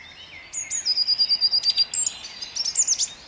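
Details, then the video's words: Song thrush at dawn, Jabłonna, 29 April 2021, delivering a high, steady series of about a dozen rapid repeated notes, then a few scratchy varied phrases. "Drozd śpiewak śpiewa o świcie"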